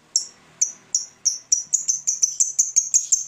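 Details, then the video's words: A fighter lovebird ticks (ngetik) toward a long ngekek that draws rivals to sing. Crisp, high single clicks open widely spaced, then quicken steadily into a tight, rapid run. "Lovebird Fighter ngetik ngekek panjang - Bikin musuh ikut bunyi"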